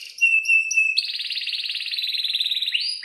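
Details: Male-style 'gacor' canary song used as a lure for young birds learning to sing: a few clear whistled notes, then a long, even rolling trill lasting about two seconds before a rising flourish.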